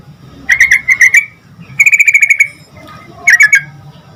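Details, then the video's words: Yellow-vented bulbul singing energetically to prompt other bulbuls to reply fast: three separate bursts of quick, bubbly chattering notes, the middle one a longer even trill, with soft low hum between phrases. "Suara Trucukan Gacor Agar Burung Trucuk Cepat Nyaut Garuda"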